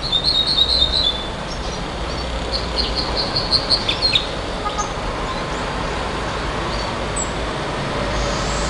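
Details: Nightingale song: a burst of rapid high repeated notes, then a pause and a second series of evenly spaced piping notes, against a loud continuous traffic-like rumble.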